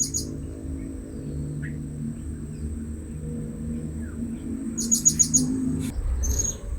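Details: Blue-crowned hanging parrot at a new luring spot: a quick run of several shrill, high squeaks midway, then a single sharp chirp, over a low droning hum.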